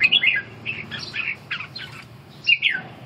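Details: Red-whiskered bulbul in training for stamina recovery and ché song practice: short, separate warbled chirps with soft pauses between them, louder bursts at the start and near the end.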